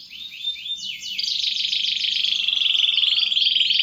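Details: Canary in full song, played as a lure for young birds. A few swooping whistles give way to a continuous rattling trill that grows louder, with a soft low hum behind.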